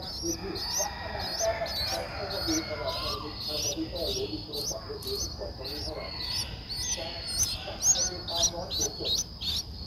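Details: Eleven-day-old Streak-eared Bulbul nestling in Ubon Ratchathani, Thailand, 13 April 2023: a steady stream of high, clipped, hooked chirps about twice per second throughout, with faint lower chatter and a continuous thin high tone.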